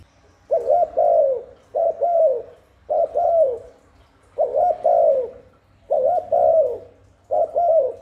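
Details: Spotted dove cooing to pull wild doves in and stimulate newly kept ones: six soft, rounded phrases, each a short note and a longer descending coo, repeated roughly every 1.2 seconds in clean quiet.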